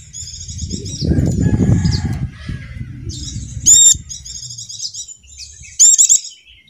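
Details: Javan dakun white-eye lure song for prompting quiet caged birds: thin, high, rapidly warbled phrases, broken by a few emphatic looping chirps, with a burst of low rustling noise early on.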